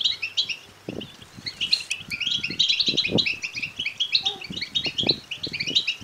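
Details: Begging calls of European goldfinch chicks for stimulating males to sing and mate: many high chirps and squeaks crowding together in a lively chorus, with scattered low knocks and rustles underneath.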